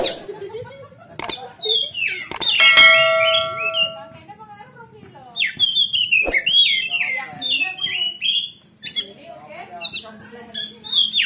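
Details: Kacer, oriental magpie-robin, singing a gacor ngeplong song meant to stir another bird's fighting spirit; rich mix of slurred whistles, sharp clicks and a buzzy harmonic burst, phrases broken by brief gaps, faint steady hum behind.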